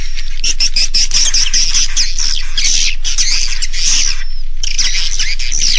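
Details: Roosting call of edible-nest swiftlets, played by swiftlet farmers to make young swiftlets settle for the night: continuous high, buzzy twittering from many birds, with fast ticking and a short lull near the end.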